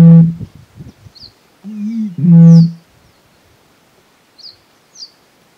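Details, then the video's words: Eurasian bittern in Tauragė, Lithuania, giving deep, low hooting booms: a short pulse, then a wavering low note and a longer resonant boom about two seconds in. Faint high chirps of small birds follow in a quiet background. "Didysis baublys"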